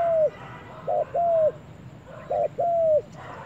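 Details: Spotted dove on its first outing to the forest, cooing in paired phrases: a short note then a drawn-out level coo, the pair given twice about 1.5 seconds apart over a faint low outdoor hum.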